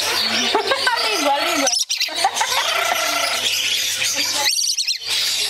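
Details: Lories chatter and squawk in rapid, wavering notes broken by harsh screeches over a steady low hum, as a female urges the male to bite a hand and both become excited.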